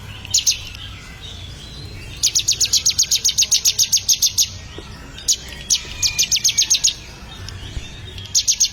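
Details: Ciblek, or bar-winged prinia, being trained to sing: a couple of chips, then a long fast string of shrill notes, followed by shorter bursts of the same high chipping.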